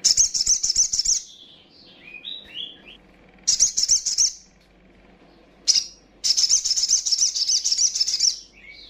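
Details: Young female little spiderhunter calling to provoke rival birds. Long strings of rapid, high, buzzy chattering alternate with pauses that hold faint descending whistles and one short sharp note.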